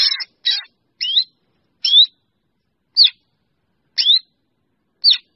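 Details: Black drongo calling the flock with a quick pair of grating rasps, then a steady series of sharp, upslurred whistled chips roughly once a second, each tinged with a harsh edge.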